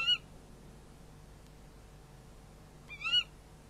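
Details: Barn owls at a nest monitored by a nest camera, calling during a prey handover at night: two short harmonic rasping calls, one at the very start and one near the end, with quiet background hum between.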